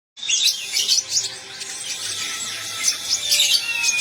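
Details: Olive-backed sunbird, known locally as konin, singing in the trotol style. It produces a dense, rapid stream of high, thin twittering and chattering notes that runs without a break after a brief silent start.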